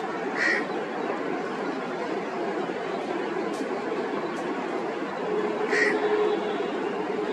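An Indian grey hornbill gives two short, squealing, nasal calls about five seconds apart, over a steady rushing background like wind or distant traffic.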